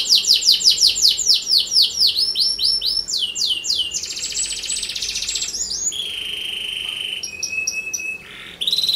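A canary sings a fast, bright stream of rolling trills and repeated sweeping notes, shifting into buzzy rattles and sharp whistled phrases.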